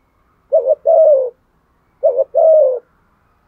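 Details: Spotted dove fighting coo, sung in the 'thổ' voice style. Two evenly spaced phrases of a brief quavering note followed by a drawn-out soft hoot sloping down, in a quiet setting.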